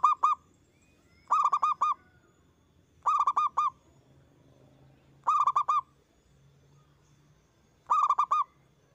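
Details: Local zebra dove (perkutut) singing loudly, used as a lure to stimulate other doves to sing: five phrases of four quick, ringing cooed notes, each phrase under a second, spaced about two seconds apart, over a faint low hum.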